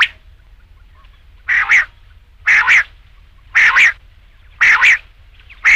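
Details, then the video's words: Rain quail calling, offered as a night-time hunting lure: loud, harsh double notes, each pair quick and rasping, repeated roughly once a second with quiet gaps between, over a faint low hum. "batair ki awaz raat ke liye | rain quail sound"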